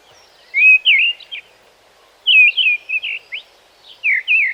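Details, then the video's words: A mistle thrush sings short, loud fluty phrases of three or four whistled notes, delivered quickly with brief, rushed gaps between phrases, as if nervous or in a hurry. "The mistle thrush sounds rushed with much shorter intervals between his notes, almost as if he is nervous or in a hurry."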